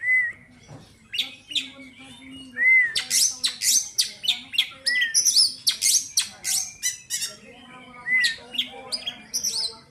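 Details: Kacer (Oriental magpie-robin) kept for song contests, said to be healthy and contest-ready, singing a lively mix of arched whistles, rapid harsh chattering and squawky bursts, with repeated whistled arcs.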